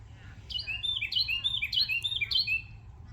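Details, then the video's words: Parrot making funny noises: bright, high chirping whistles in quick sweeping bursts, four short clusters about half a second apart, each with rising and falling notes, over a low steady hum. "parrot making funny noises"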